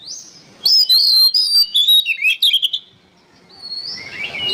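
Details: Songbird training recording of an oriental magpie-robin: a faint whistle, then about two seconds of loud, rich whistled phrases with quick slurs and chips, a quiet pause, and a rising high note at the end.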